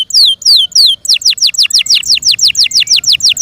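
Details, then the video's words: Yorkshire canary, a kept pet bird, singing loudly: a few slow descending whistled slurs, then a fast run of repeated downward-sweeping notes about three per second, clear and high. "THE BEAUTIFUL SOUND OF FI YORKSHIRE CANARIES"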